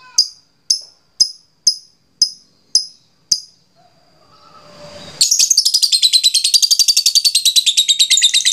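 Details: Lovebird ngekek lure to make other lovebirds chatter eagerly. Seven crisp, high ticks come roughly every half second. After a gap, a long, fast, rasping chatter begins and continues steadily to the end.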